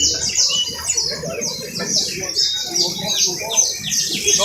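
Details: Canary singing a piercing trill of fast, repeated high notes, each swooping downward, in uneven bursts with brief gaps between phrases, close and dominant.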